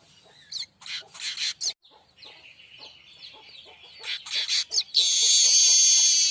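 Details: Streaked weaver, known locally as manyar kembang, delivering a loud buzzy wheezing song for tutoring kacer and murai batu: harsh rasping bursts, a long sustained wheeze, then an intense hissing buzz at the end.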